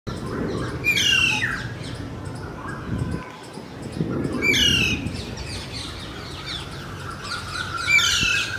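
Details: Alexandrine parakeet in Kolkata, India, giving loud, harsh screeching squawks about every three and a half seconds over a steady low rumble of traffic or wind.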